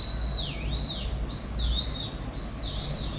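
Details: Unidentified bird with a call described as strange; clear high whistled notes that slide down then back up in a wavy sweep, repeated three times about once a second over a low steady background rumble.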